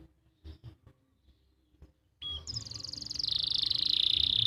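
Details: Canary tutor song recorded in Pati, Central Java: faint knocks at first, then a high whistle launches into a rapid trill that slides into a long, steady rolling tour.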